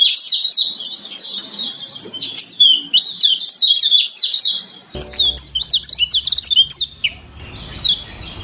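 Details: Lemon-bellied white-eye training song with many variations: a fast, continuous high twitter of chirps, slurs and trills, with a change in background near five seconds and low hum afterward.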